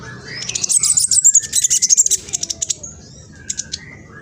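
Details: Black sunbird, young and still spotted, East Java, Indonesia; fast rattling series of high, dry, scratchy notes, about three or four per second, aimed at making other sunbirds sing back, then a few isolated chips.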